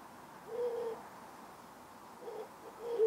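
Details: A pair of Ural owls at night moving along power lines and antennas in town, the male thought to be feeding the female in darkness; a low hoot near 0.5 s and another at the end, with quiet background hiss.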